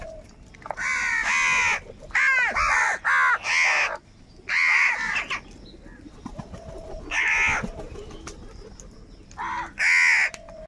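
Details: Crows fighting for food, calling angrily: rapid series of harsh caws packed together at first, several birds overlapping, then spaced single caws after a pause, faint cooing-like tones in the background.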